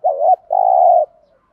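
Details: Lure coo of a spotted dove in the thúc gù style, meant to make wild birds coo back: a wavering opening note runs into a long, even coo that trails off softly.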